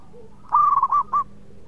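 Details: Single loud phrase from a melodious local zebra dove, said to coax other birds into calling: a quick stuttered run of four mid-pitched coo notes, the last set slightly apart.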